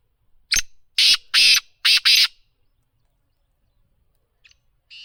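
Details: Black francolin call: a sharp opening note and four rough, grating bursts delivered rapidly, then near silence with two fainter distant notes near the end.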